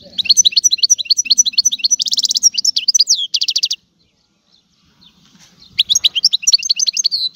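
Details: European goldfinch singing a rapid series of tinkling two-part notes, then harsh buzzy rattles, a brief silence, and the twittering series resuming; faint low purring sounds beneath.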